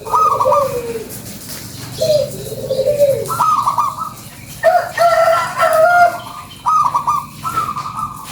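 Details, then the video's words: Local zebra dove (perkutut lokal) lure song used for attracting birds: loud bubbling cooing phrases of rapid rolled notes, several in quick series, with faint other birds and background noise. "SUARA PANCINGAN PERKUTUT LOKAL GACORRR"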